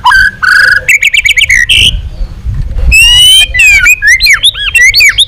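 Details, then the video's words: White-rumped shama delivering a long training song meant to provoke other shamas: bright whistled notes and fast chattering bursts, then ringing upward and downward swoops, over a faint low rumble. "Luyện giọng dây dài cho lửa.chòe lửa đập tạch kéo dây hay. ép giọng kích lửa hiệu quả"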